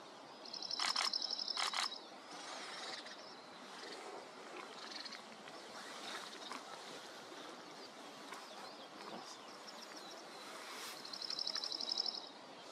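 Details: In a small coastal garden at Rattray Head, Aberdeenshire, a Dark-eyed junco, a North American bird, sings one May morning in 2023; two rapid, monotone high trills roughly ten seconds apart, with quiet outdoor noise and faint chirps in between.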